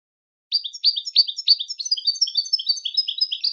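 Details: Goldfinch singing for song training: after a brief silence, a continuous run of rapid, high, tinkling twitters and chirps flows without a break, lively and bubbling, with no other sounds.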